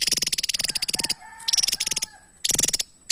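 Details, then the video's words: Javan tesia song of rapid high buzzy pulses, with a thin, lower, level whistled note running beneath it, then two further short rattling bursts. "TESIA JAWA GACOR SETIAP HARI"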